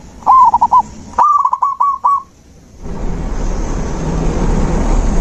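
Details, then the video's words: Zebra dove song for restarting a dove that has gone quiet. Two short phrases of rapid, rolling coos, followed by steady, rumbling background noise. "Terapi alam perkutut macet mogok bunyi"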